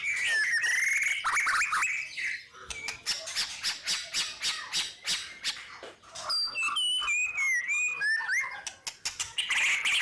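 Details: Continuous competition-style song of a white-rumped shama meant to provoke other birds into singing: dense bursts of harsh, rattling notes alternating with clear, sliding whistles and loud sharp accents, barely pausing.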